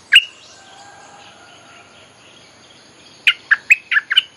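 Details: A bulbul used as a lure for wild birds gives one sharp note, then after a long quiet gap a fast run of six bubbly, warbling notes; a faint steady whistled tone lingers behind.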